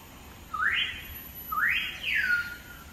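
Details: Common hill myna giving clear, loud whistles: two quick upward-sweeping notes about a second apart, followed by a longer whistle that slides downward and levels off, over a quiet background with a faint steady high tone.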